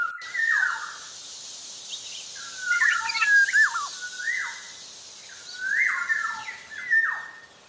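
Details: Javan black-naped oriole in active song: repeated fluty whistles that rise, then fall steeply, with a tangle of quick twisting notes near the middle and a low steady hiss behind.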